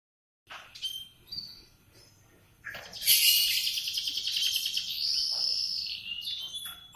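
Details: Canary singing in the morning: scattered chirps, then a loud, dense warbling passage of rapid trills and buzzy notes between 2 and 8k, with a sustained whistled tone near the end.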